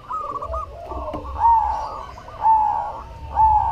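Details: Zebra dove, cemani variety, singing actively. Short purred trills lead into three clear, slightly arched coo notes spaced about one second apart, with a quiet low rumble underneath.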